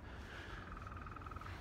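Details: A woodpecker calling in an area with few people: a quick, even run of mid-pitched notes lasting about a second, over a steady low rumble of wind and the footsteps of someone walking.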